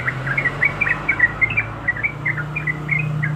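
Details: Breeding female yellow-vented bulbul calling the male, giving quick clipped chirps about three per second, each note slightly bent, set against a steady low mechanical hum.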